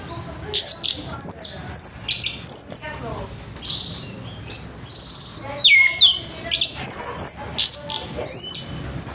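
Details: Orange-headed thrush singing a rough-toned morning song to stimulate other thrushes: bursts of very high piercing chirps and clicks, a sustained whistle between them, then a downward slurred note and more quick high chirps.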